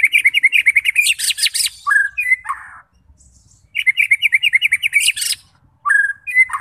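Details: Vigorous white-rumped shama song for provoking fighter birds: rapid repeated chips joined by high rasping buzzes, then falling whistles, heard twice with a pause between bouts.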